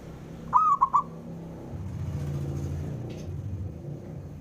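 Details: Local Javanese zebra dove, a male, calls to stir up rivals: a single three-note cooing phrase, a drawn-out first note then two clipped ones, followed by low traffic rumble.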